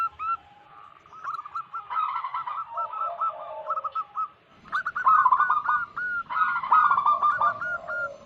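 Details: Wild local zebra doves singing energetically, used as a lure to attract wild doves and to prompt quiet doves to sing: several overlapping voices give rapid runs of short hooked cooing notes at a mid pitch, bursts in quick succession.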